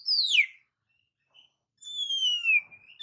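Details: Oriental magpie-robin, singing to provoke rivals, gives two clear descending whistles, the first short and steep, the second long and gently falling, with near silence between them.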